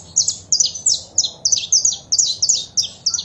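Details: Female saffron finch calls mixed with male song, meant to excite a caged bird into singing; a rapid series of high, sharp, downward chirps, roughly three per second, steady and loud against low hum.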